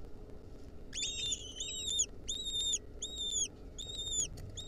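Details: Wild lesser kestrel nestlings, 2023, troubled by a centipede clinging onto them at the nest; a string of high, clear whistled notes with rich overtones, each lasting about a third of a second, repeated steadily against faint low hum.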